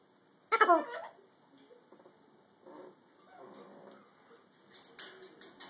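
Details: A blue-and-gold macaw saying "pic-a-boo" opens with one loud, raspy, voice-like phrase, then mutters softer word-like sounds. Dishes clink near the end.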